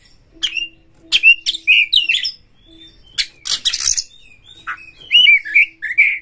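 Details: Kacer, or Oriental magpie-robin, singing loudly as a provocation lure for fighting. Crisp downslurred whistles, a burst of harsh noisy notes, then a varied warbling run, over a steady low hum.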